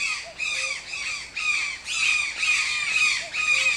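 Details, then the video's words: Toucan calling in a steady run of raspy, nasal squawks, roughly two per second, each strained and harmonically rich, with brief gaps between phrases and little other sound. "TOUCAN SOUNDS - Toucan Sound Effect"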